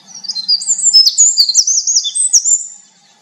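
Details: A winter wren pours out an intricate, high, twittering song of rapid trills and sharp whistled notes, about two and a half seconds long, ending abruptly into quiet.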